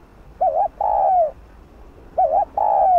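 Spotted dove coos: a short wavering note, then a long, smooth, slightly falling coo, repeated about every two seconds. The background is quiet.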